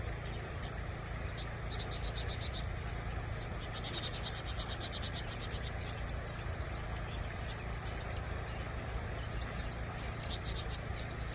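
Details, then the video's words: Vinous-throated parrotbill, a small bird, giving bursts of fast buzzy chattering notes mixed with thin, high arched whistles that come in scattered runs, over continuous low background rumble. "뱁새울음소리 a bird's cry"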